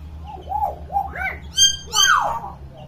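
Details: Tame talking hill myna kept as a pet, imitating many sounds: short wavering hoots, then two loud harsh metallic squawks and a falling scratchy note, with a low steady hum behind.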